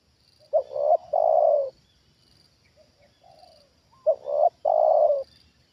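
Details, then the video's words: Trained decoy spotted dove responding to a wild bird. Two phrases, each with quick stuttering opening notes and a long, smooth, falling coo, are separated by soft low coos in a quiet setting. "Inilah Reaksi Tekukur Ajaran Di Turunin Burung Liar Untuk Kedua Kalinya"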